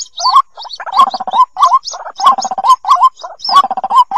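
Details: Loud chatter of white-breasted waterhen chicks for luring shy waterhens: dense runs of low rising squeaks and stuttering notes, with occasional high thin chirps.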